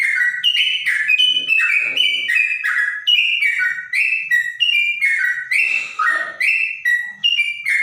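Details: Trotok in clear, bulbul-like song: a continuous chain of short whistled phrases alternating high and low, roughly two and a half per second, with brief faint murmurs underneath.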